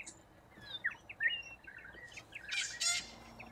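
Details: Corellas, a big feeding flock working root grass in Australia. Short downslurred chirps lead into two loud, harsh rasping screeches near the end.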